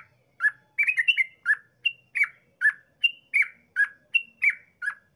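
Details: Yellow-vented bulbul in lively, long rapid song, used as a lure to prompt other bulbuls to sing: a rapid run of short, bubbly, slurred notes, some rising and some falling, about fourteen phrases in five seconds over a quiet background.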